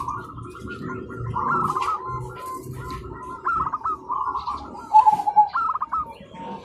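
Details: Zebra doves calling to each other in the morning: a run of short rolled cooing notes, some overlapping, with a louder clear coo near the end, over low background rumble.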